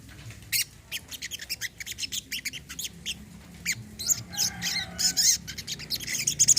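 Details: Olive-backed sunbird, recorded as therapy for a bird that has stopped singing: a series of short, squeaky high chirps repeated roughly once a second, growing busier and louder toward the end.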